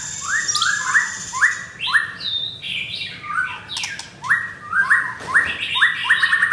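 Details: White-rumped shama of the blorok variety, caged in Kemayoran, Jakarta, delivering loud repeated upward-sweeping whistles in quick runs, interspersed with higher whistled phrases and a burst of harsh noise midway.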